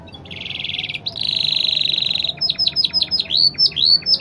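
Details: Canary song used as a tutor recording for training other canaries, a long continuous performance: a fast buzzy trill, then a longer rapid rattling trill, then a series of sharp down-slurred whistled notes repeated about every quarter second.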